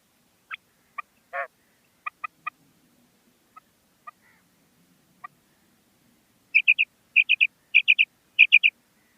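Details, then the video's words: Common quail, local name batair, said to be a female calling: scattered short sharp notes open the recording, then four rapid, ringing three-note phrases follow in a steady series. "Common Female Quail Calling"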